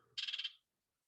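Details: A House Wren gives one harsh, buzzy scolding rattle of about six quick pulses lasting under half a second, then silence. This is an angry call wrens make when approached in a shrub or tree.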